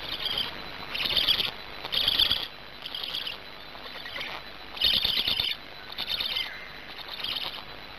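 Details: At a Gemenc black stork nest in Hungary, evening of 10 May 2019, a chick that has just swallowed a large fish gives harsh, rasping high bursts about half a second long, repeated roughly each second.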